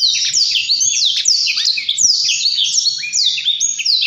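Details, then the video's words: A Blackthroat delivers a fast, unbroken stream of high, sweeping downslurred whistles and chattering trills, densely layered and energetic throughout. "BURUNG BLACKTHROAT GACOR SIRAJA NGEROL | BLACK THROAT BIRD SINGING"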